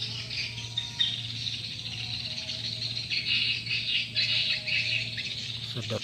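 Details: Swiftlets answering a lure call known as SP Sanro: dense, high, scratchy twittering chirps from many birds overlapping continuously, with a low steady electrical hum underneath.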